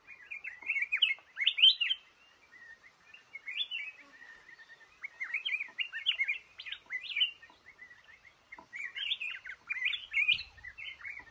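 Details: In a cashew garden, a trapped male red-whiskered bulbul sings repeated lively warbled phrases of clear up-and-down whistles, coming in bursts with short pauses between them.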